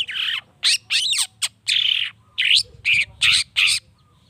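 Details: Long-tailed shrike song played to provoke other shrikes into singing: harsh, scratchy squawking bursts, about nine in four seconds, some with quick rising and falling sweeps, uneven spacing, over a faint low hum.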